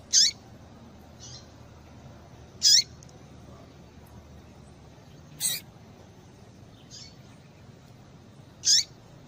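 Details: Calls of a female papa-capim, used to get males singing: four loud, high, brief chips with dropping tails at intervals of roughly 2.5 to 3 seconds, plus faint softer notes between them.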